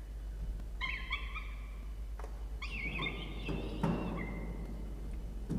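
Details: At a peregrine falcon nest box on a university campus in Orange, NSW, Australia, in early November 2021, during feeding of a chick. Two short runs of wavering, harmonic chirped calls sound over a low background rumble.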